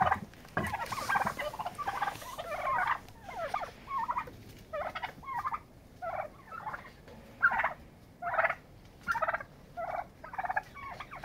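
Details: Turkeys fighting for dominance; a long rattling gobble at the start, then shorter gobbling bursts repeated roughly every second.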